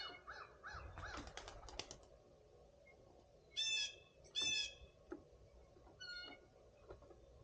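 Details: Blue jays with a mixed flock on a Sunday morning in spring give two loud, raspy, harmonic-rich calls in close succession after a stretch of softer chatter and wingbeat-like fluttering from other birds.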